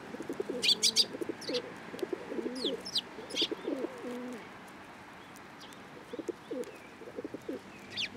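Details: Sparrows fed from the hand at a Tenmangu shrine on 13 April 2023; short high chirps in brief bursts early on, with steady low pigeon cooing throughout.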